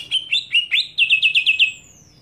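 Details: Greater green leafbird scream aimed at provoking other leafbirds: several slurred sharp notes, then a rapid even run of about seven clipped notes, ending in a thin, high, falling whistle.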